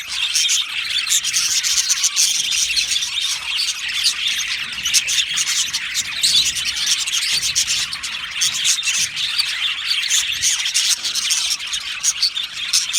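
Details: Colony of Australian budgerigars in an aviary singing and chirping: long, unbroken dense chorus of rapid twittering and scratchy warbles, even in loudness throughout.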